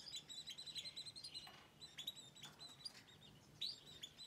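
Goldfinch song: quick, bright twittering and tinkling notes in short bursts, high-pitched and liquid, with a few sharper chirps; a canary may also be singing.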